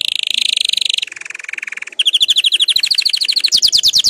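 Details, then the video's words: Canary song played to encourage other canaries to sing: a fast, even trill of high notes for a second, then a lower rolling trill, then rapid sweeping chirps that climb in pitch, all loud and clean. "canari chant ساعة لتحفيز الكنار على الغناء"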